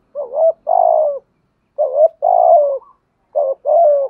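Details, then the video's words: Urging coo of a spotted dove meant to bring in wild doves: three evenly spaced phrases, each a short note then a long hoarse descending coo, about a second apart. "Tiếng chim cu gáy kích bổi nhanh nổi. thúc gù, gáy gọi"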